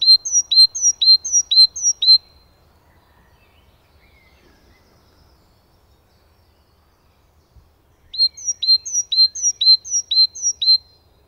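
Great tit singing a bright two-note 'teacher, teacher' phrase, repeated about twice a second in two bursts of five or six, with a quiet pause between.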